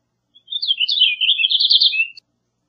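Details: Purple Finch song: a rapid, rich warble of slurred, twittering notes rising and falling at a high pitch, running continuously for nearly two seconds, then ending with a short high note against a quiet background.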